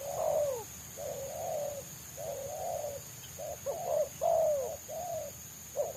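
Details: Spotted dove living wild, sought by trappers for its close, quick selang nguku song: a continuous run of low, rounded coos, some long and falling, others short and clipped, with a steady high-pitched hum in the background.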